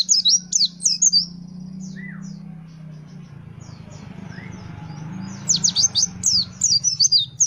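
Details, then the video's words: Gacor fighter pleci white-eye from Indonesia pouring out quick high twittering phrases at the start and end, separated by a quieter stretch over a steady background hum and hiss. "The sound of the Gacor fighter pleci bird shooting"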